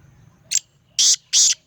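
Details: Black francolin calling in Sindh, Pakistan: a brief sharp note followed by two longer, loud, harsh rasping notes about a third of a second apart, with faint low rumble beneath.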